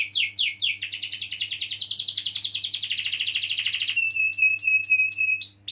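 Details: Canary singing to stimulate young or silent canaries: a few falling sweeps, then a long fast rolling trill, then a flat steady whistle with high chips and a final upward note.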